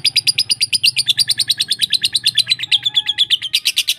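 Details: Lovebird song in a lure compilation for teaching lovebirds varied sounds: a steady, fast run of high, buzzy chirps, roughly three per second, drifting slowly downward in pitch, with low hum beneath.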